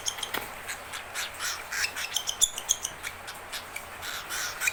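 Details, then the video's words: Hungry, angry baby cockatiel calling for its owner while hand-fed. It gives rapid, raspy, hissing bursts, several each second, with a few faint high clicks and steady background hiss. "the Cockatiel hanging out Angry Hungry"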